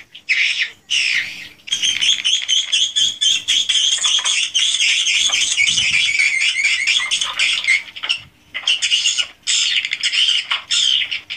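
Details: Swiftlets in a swiftlet house, unedited roosting and calling recording: long stretches of dense high twittering chatter cut by short silences, with a soft low hum underneath.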